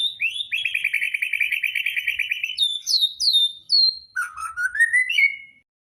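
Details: Magpie-robin at a bird-singing contest, delivering its repertoire at length: a sustained rapid trill held for about two seconds, then sharp high whistled notes and a rising run of lower chirps.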